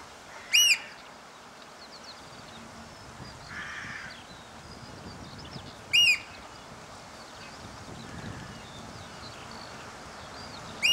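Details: Eurasian oystercatchers pipe after rain, recorded from a hide: loud, shrill piping notes in three short bursts about five seconds apart, over faint background chirping and a soft outdoor hiss.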